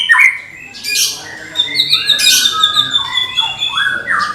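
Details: Medan white-rumped shama, a caged competition bird, producing a rich mix of high sustained whistles, swooping slurs and harsh buzzy notes layered densely through the phrase.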